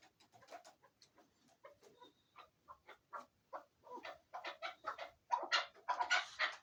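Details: A chukar partridge kept for hunting utters short, clipped chuck notes at uneven intervals, quickening into louder, denser harsh clucks in the final seconds.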